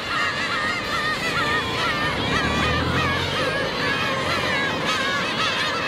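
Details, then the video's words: Black-tailed gulls at Otaru, Japan, a crowd giving overlapping nasal, wavering mewing calls, several each second, in a constant clamour as they beg for fish. "The world of the black-tailed gull 魚ちょーだい とられた❗ またちょーだい"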